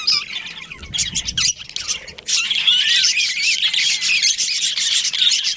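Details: Budgie colony with a breeding pair: softer chirps and a few harsh squawks open, then the chorus swells into loud, dense warbling chatter with wavering whistled notes.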